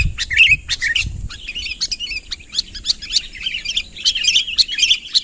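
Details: Sooty-headed bulbul calling loudly to draw a rival closer, an unaltered recording. Dense bursts of sharp, bubbly chirps follow one another quickly, with a steady high thin tone running throughout and low thumps at the start.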